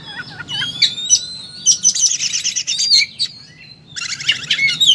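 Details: Oriental magpie-robin singing in full combat mode: long drawn whistles sliding upward, sharp chips, then a harsh buzzing rattle near the end, all high-pitched and continuous.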